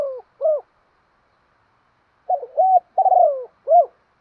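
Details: Decoy spotted dove calling: low mellow coos in two bursts, a pair of short upslurred notes, then after a pause a run of rolling, descending coos ending in one arched note; otherwise quiet.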